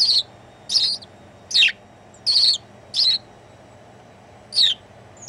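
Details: Perched on a Dutch sparrow conservationist's shoulder on New Year's Day 2016, a house sparrow gives loud, clipped chirps, some sliding downward, spaced unevenly at roughly one per second over a quiet background.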